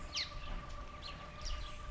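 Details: Dark-capped (black-eyed) Bulbul recorded on a trip into Botswana, giving three brief, bright chirping notes about every half second to a second, over a steady low hum and rumble.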